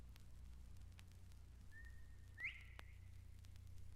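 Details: An Eastern Meadowlark on the grassy fringes of Mountain Lake Sanctuary, Lake Wales, Florida, gives its far-reaching territorial call: one clear, held whistle breaking into a quick upward slur, heard once over a steady low hum.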